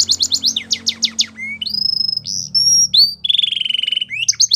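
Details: Belgian canary singing in training: a burst of quick downslurred notes, then long sustained whistles and a sustained buzzy rolling note, ending with more quick chirps over a low hum.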